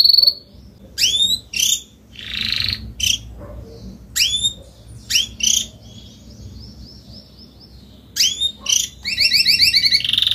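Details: Spanish Timbrado canary, adult, giving separated sharp rising chip notes and brief buzzy bursts with pauses between, a soft descending series of notes, then a fast doubled trill at the end.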